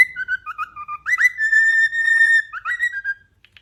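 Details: A cockatiel perched on top of its cage indoors whistles a clear, tuneful phrase of gliding notes and a long sustained tone, with quick slurred turns near the end.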